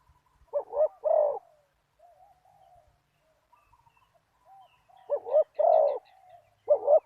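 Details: Spotted dove decoy with a big '1 kuk' voice calling to a target bird: a double-note coo phrase, a quiet pause with soft murmurs, then two more low coos, with light twittering of other birds.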